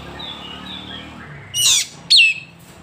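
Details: An Oriental magpie-robin in Woncoyo village, Trenggalek, East Java, gives faint high whistles, then a harsh, scratchy burst and a loud, sharp whistle sliding down.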